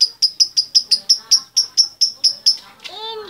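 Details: Female lovebird summoning the male: rapid, evenly spaced high chirps, about five each second, which end in a drawn-out whining note that falls in pitch.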